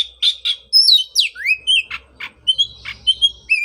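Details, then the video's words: Song of an Oriental magpie-robin, played to coax a bird back into song after its moult; rich whistles swooping downward, short rasping notes and clear rising slurs in rapid succession. "pancingan suara untuk terapi burung kacer"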